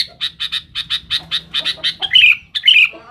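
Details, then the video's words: Male-type challenging song of a sooty-headed bulbul: a steady series of short clipped chirps about twice a second, ending in louder rich warbled whistles. "suara BURUNG KUTILANG GACOR RIBUT MENEKAN LAWAN"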